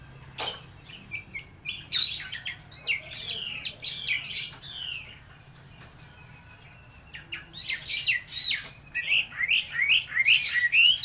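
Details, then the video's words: Laughingthrush song in bursts of rapid chirps and quick downslurred whistles, broken by a quiet pause of about two seconds before busy phrases resume. "Chim Mi hót đỉnh"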